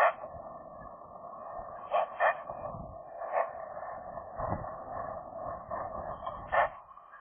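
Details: Young pair of Eurasian magpies flirting inside their nest in January, winter, the female new to the territory; soft chattering and voicing with low mid-range harsh notes and a few louder accented calls spread irregularly.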